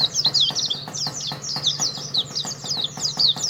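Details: Contest-champion Oriental white-eye from Karawang singing a fast, high, continuous twittering warble of tumbling chirps, with soft regular ticks and a faint low hum behind.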